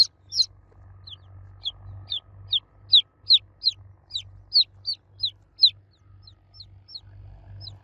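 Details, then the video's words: Young chickens cheeping for the mother hen; a clear series of sharp downslurred peeps, roughly two or three per second, louder in the middle, over a faint low hum. "Baby Chicks Chirping Sound For Kids Chicks Cheeping Loudly For Mother Hen"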